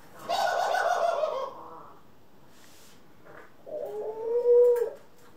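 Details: Indoor pet doves (ringneck, Senegal and hybrid) on April 25, 2021. A rich, buzzy coo is followed after a quiet gap by a smoother, purer low coo that swells and then fades.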